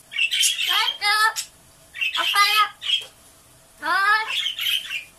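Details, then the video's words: Pet blue-fronted amazon parrot mimicking the Japanese phrase "otsukaresama" (good work) in the morning. Three loud, harsh, harmonic-rich spoken phrases about a second long, separated by short pauses. "アオボウシインコ ドスのおしゃべり あー疲れた8連発の巻"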